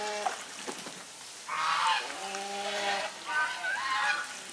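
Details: Domestic swan geese with grey domestic geese, drying their bodies; a short nasal note, then long drawn-out harsh honks with rich harmonics, a brief pause and a second wavering honk.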